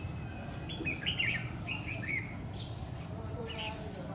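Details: Red-whiskered bulbul, called Má lỡ, during trapping with a lure bird on a stormy afternoon, 9 September 2019; a run of quick warbled, slurred whistles in the first half, then fainter notes, over low rumble.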